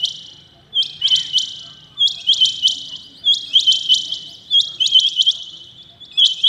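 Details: In the early morning a Rain quail calls loudly with clusters of two or three piercing, high, clipped notes, repeated roughly every second over near silence.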